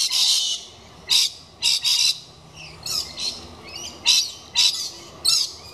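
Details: A galah inspecting a nesting box put up for kookaburras screeches harshly and at length, eight or nine loud, broadband, grating screeches in under six seconds with uneven gaps; recording dated 191015.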